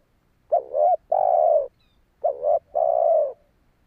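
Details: Two close phrases from a spotted dove luring wild doves, each a wavering double note then a long even coo, loud and clean against a quiet background.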